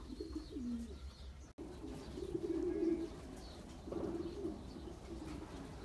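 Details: Champion racing pigeons bred for long-distance races produce throaty, rolling low coos in bursts, a brief dropout near the start, then sustained gurgling cooing with light background hum.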